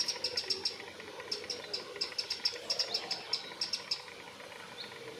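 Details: A Eurasian wren sings from a branch in Pittencrieff Park, Dunfermline, Scotland, in fast bursts of sharp, very high ticking notes, each run lasting about a second with brief pauses between.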